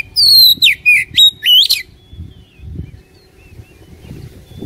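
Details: Oriental magpie-robin song used as a daily lure to get a lazy caged bird singing: five loud, rich whistled notes sweeping between high and mid pitch in under two seconds, then a quiet stretch with faint low rumble.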